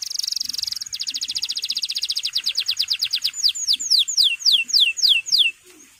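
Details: Male canary singing, kept to train young birds into steady song: a fast buzzy trill of high notes, then a long even rattle of rapid repeated notes, slowing into loud downslurred whistles.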